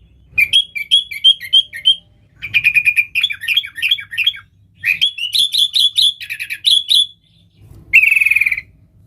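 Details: Lively sooty-headed bulbul song meant to call in wild bulbuls, delivered as fast strings of bright chirping notes in several bursts separated by short gaps, ending with a buzzy rattling phrase.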